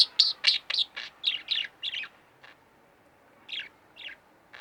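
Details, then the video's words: A pair of pet budgerigars at home give a quick series of sharp chirps, about nine in two seconds, then a pause and two more separate chirps. "Budgie Birds Extravaganza-Relax With My Budgies"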